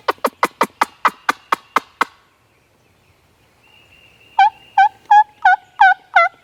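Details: A wild turkey gobbler in a South Carolina pasture on a rainy spring morning, 25 March 2023, during turkey season, answers a hunter's wing-bone calling. It gives a fast, rattling run of about ten throaty pulses, then a shorter burst of six warbling, down-curving gobbles.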